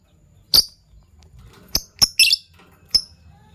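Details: Morning chirping from Fischer's lovebirds of violet and gold opaline colouring: five short, thin high chirps spaced irregularly over a few seconds, one a quick double note, against faint low background hum.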